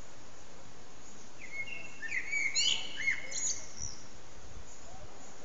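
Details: At sunset a common blackbird delivers its evening song, recorded on an HTC Desire phone; one mellow, fluted phrase, stretching for almost two seconds, ends in higher twittering notes against faint low hum.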